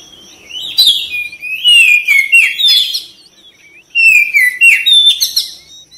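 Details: Oriental magpie-robin (kacer) song for prompting other birds to respond: two loud bursts of bright downslurred whistles and chatter, separated by about a second of quiet.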